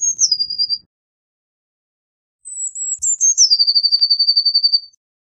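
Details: Blue tit song: a short trill ending one phrase, a pause, then a long high whistle falling into a sustained, steady trill of fast repeated notes lasting over two seconds; otherwise quiet.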